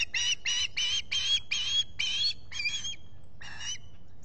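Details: Osprey reacting to a visitor at its solar-camera nest in the Finger Lakes, US, 23 July 2021, morning: a run of eight strident, grating squeals, steady at first, then weakening and spacing out toward the end.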